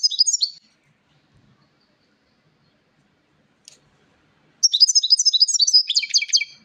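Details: European goldfinch singing, a quick tinkling twittering phrase of high trills and chirps, a brief burst at the start, then near silence, then a dense liquid twitter for two seconds at the end.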